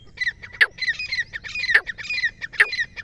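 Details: Black francolin calling loudly: harsh, grating, rhythmic phrases of squawky notes, each phrase about a second long and opened by a sharp broadband crack, repeated three times in quick succession.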